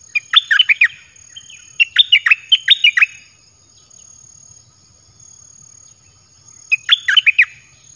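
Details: Caged red-whiskered bulbul song played to lure wild birds: bursts of loud, bubbling, whistled notes dropping and rising, two phrases about five seconds apart, with a faint steady high hum behind.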